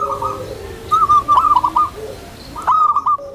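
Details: Tame, gentle-voiced zebra dove meant to provoke other zebra doves into calling and to condition new birds. Two short bursts of bright, quick, staccato coos rise from a murmuring background.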